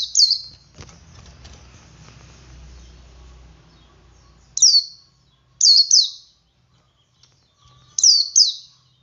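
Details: Male Oriental white-eye ngalas song, meant to spur other white-eyes into singing: one high falling phrase, a longer quiet stretch, then spaced pairs of thin, descending tweets.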